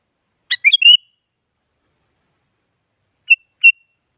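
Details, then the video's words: Sooty-headed bulbul phrase used to goad a silent rival into singing: a quick cascade of three or four chirpy, warbled notes. After nearly two seconds of quiet come two short, clear whistled pips. "Suara Burung Kutilang Mengajak Lawan Agar Bunyi Bikin Kutilang Diam Semangat Berbunyi"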